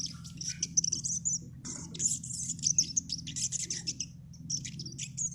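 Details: Crimson sunbird (sogon) giving a fast, twittering string of very high, sharp chirps and trills, almost unbroken, with a steady low humming noise in the background.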